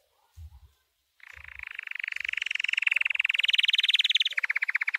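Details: White canary singing a training song: two soft low thumps, then a long, fast, even trill that swells in loudness and holds steady before a slightly lower rolling tail.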